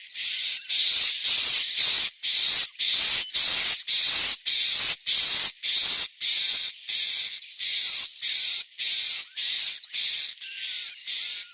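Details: Inap roosting call of swiftlets, Central Sulawesi: regular hissing, buzzy bursts about half a second long, each with a slightly rising high whistle, repeated steadily nearly twice per second.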